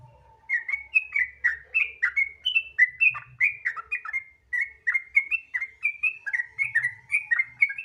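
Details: Sooty-headed bulbul in gacor ropel style, a lure recording meant to prompt other bulbuls to sing: a brisk run of bubbly, slurred whistled notes, each dipping and rising, poured out with barely a pause, over a faint low hum.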